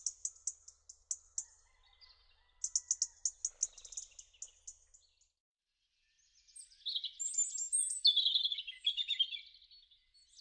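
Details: European robin in a garden, recorded in March–April: sharp high ticking notes in quick uneven series open the stretch, followed after a short silence by a loud, varied warbling phrase of trills and thin high notes that rise and fall.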